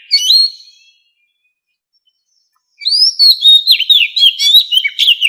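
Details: White-rumped shama, standard wild-style 'forest voice' for training captive birds. A brief whistle, two seconds of silence, then a rising clear whistle leading into quick, varied chirps and slurred notes, roughly two per second.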